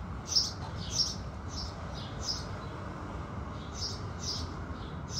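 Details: House sparrows at sunrise give scattered high chirps, fainter and less regular than a steady series, with a few louder notes standing out over a constant low background hum.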